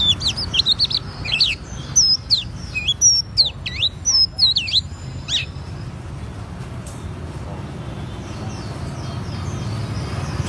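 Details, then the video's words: Oriental white-eye, Auri type, singing busily in the ngriwik style with fill-in notes: a burst of high, looping whistled slurs and chirps for about five seconds, then near silence with a faint low hum. "Pleci Auri Gacor Ngriwik Bongkar isian"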